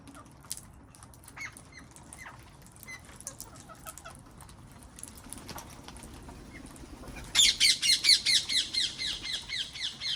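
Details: Wild parrots in a garden: scattered thin chirps, then a burst of about eight harsh, rasping squawks repeated several times a second, loud and steady toward the end.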